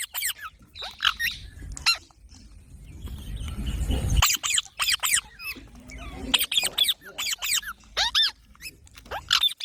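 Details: Baby parrots give bursts of sharp, clipped squeaks separated by a noisy, rumbling gap, then resume with quick repeated harsh notes.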